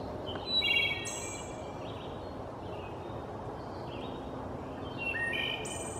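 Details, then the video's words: A forest-dwelling Wood Thrush sings short, fluty phrases that end in thin, high trills, spaced a second or two apart, over a constant background hiss. "Wood Thrush song"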